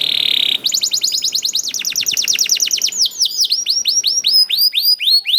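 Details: Lure song of a young canary, used to get other canaries singing: a short buzzy note, then long runs of fast, repeated, falling chirps that turn into looping high whistles.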